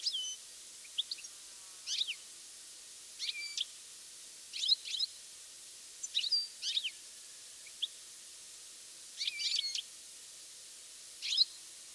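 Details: Goldfinch calls in mid-August, recorded over several days of good weather; repeated high tinkling chirps, single and in pairs or triplets, roughly every second, against a clean quiet background.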